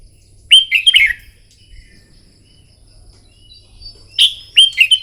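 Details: Contest-trained red-whiskered bulbul singing in the morning: two bursts of clear warbled whistles, each a quick string of four or five falling notes, separated by a few seconds of near silence.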